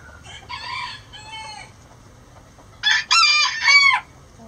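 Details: Roosters crowing before dawn as the flock flies out of the coop: two softer, harmonic-rich calls early on, then a loud, strained crow in several rising and falling segments lasting about a second, over quiet background.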